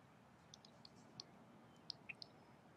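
A Red-winged Blackbird gives quiet, sharp, high chips, about six in under three seconds and irregularly spaced, over a soft background hiss.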